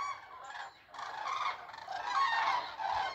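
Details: A flock of geese in flight, seen against the sunlight, gives a dense chorus of overlapping nasal honks and yelps that swells without pause, with a country road in the background and a child sneezing.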